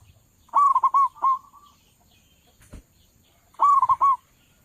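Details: Local zebra dove with a loud voice, used as a lure call for trapping doves: a bubbly cooing phrase of rapid rolled notes near one pitch, given twice about three seconds apart, with a faint click between.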